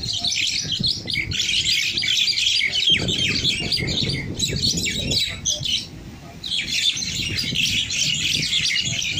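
Bulbuls give a dense stream of harsh, overlapping chirps and chatter during a fight, breaking off briefly before resuming, over low background rumble.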